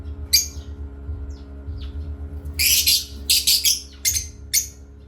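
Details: Parrots chirping during playtime: one bright tweet, a pause, then a cluster of loud, rasping chirps in quick succession. A low hum runs throughout.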